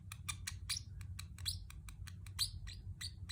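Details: A Pacific parrot chirps rapidly, played to keep pet birds company; quick, high, downward-sweeping chirps come about four per second, with low background hum.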